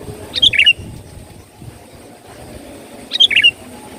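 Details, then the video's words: Sooty-headed bulbul song used to lure birds: a lively, liquid phrase of rapid warbled notes, repeated once after about three seconds, clear above a faint low rumble. "suara pikat burung KUTILANG gacor"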